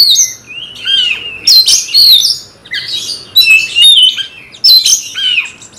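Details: Provoked magpie-robin (kacer) singing fiercely toward a rival: clusters of sharp, high whistles, scratchy chatter and swooping slurred notes, three main bursts separated by quieter pauses.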